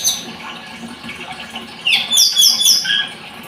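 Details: Blood-breasted flowerpecker song: after a quiet start, a quick burst of thin, high chips and short downslurred notes, sharp and twittering.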